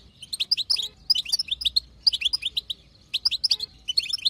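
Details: Female European goldfinch chatter from a wild-caught bird, used to trigger male singing: rapid tinkling twitters grouped in three quick bursts, each packed with sharp rising and falling notes.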